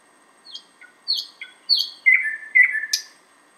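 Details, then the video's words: Song of a thrush nightingale in Finland, a bird normally found much further south, recorded outside a window: spaced sharp high chips followed by two drawn-out descending whistled notes and a final high flick. "Thrush Nightingale (sound recording)"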